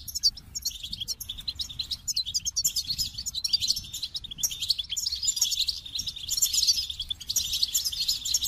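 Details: Goldfinch singing a dense, fast twittering song of high chirps and trills, rapid notes packed almost continuously with brief pauses.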